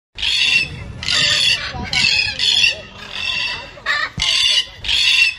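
A macaw gives a run of harsh, raspy squawks, about one each second, some broken and almost speech-like, with brief pauses between.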